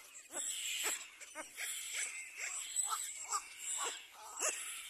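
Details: At the nest, a pair of little black cormorants with their chick; harsh, short downslurred notes repeated about every half second, some doubled, against a constant high insect-like hiss.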